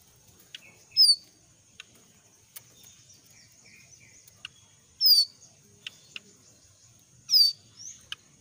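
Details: Young wild jongkangan in moult, in forest, giving sharp, high, downward-sweeping whistled notes at irregular intervals, about three in eight seconds, over a steady high-pitched hiss and faint ticking.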